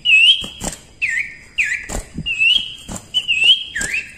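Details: Common iora, called cipoh, in steady gacor song for masteran: a run of whistled phrases, each starting with a curled flick and then levelling out, repeated about every half second amid sharp clicks.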